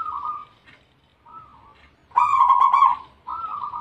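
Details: Zebra dove of the Bangkok strain in vigorous song: a soft opening coo, a short quiet note, then a loud burring phrase followed by another moderate coo.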